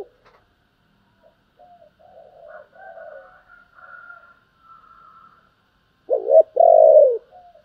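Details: Spotted dove giving urging and calling coos: soft, low cooing phrases early on, then one loud two-part coo near the end, a short note followed by a longer falling one.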